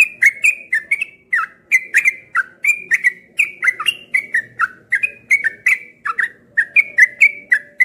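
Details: Cream-vented bulbul, a kept bird airing outdoors in the morning, pours out a dense, lively string of clipped whistled notes, rapidly alternating high and low without a break.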